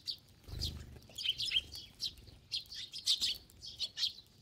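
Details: Many sparrows gathered to feed as a flock. Bright, sharp chirps tumble over one another in quick irregular clusters. A soft low thump is heard near the start.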